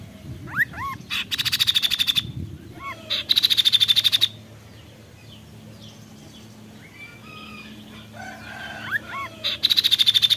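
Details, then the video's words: Kaso-kaso bird giving rapid, buzzy rattling bursts of about a second each, mixed with quick rising whistled notes, three bursts in ten seconds against a quiet background. "Tembakan Mewah burung Kaso kaso"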